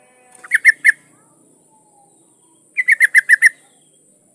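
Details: Female yellow-vented bulbul calling to a male during breeding condition: a short trio of gurgling notes, then a longer run of six quick, slightly descending notes, over a steady faint high tone.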